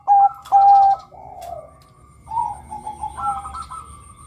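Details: Male Bangkok zebra dove calling to lure other males: two drawn-out level coos in quick succession, then a stretch of softer, wavering low cooing.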